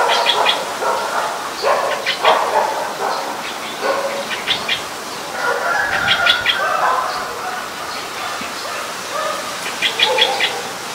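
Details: Streak-eared Bulbul, Ubon Ratchathani, Thailand, 29 February 2020, giving short, bright chirps and burry notes in loose bursts every second or two, with other bird chatter and a low background hum.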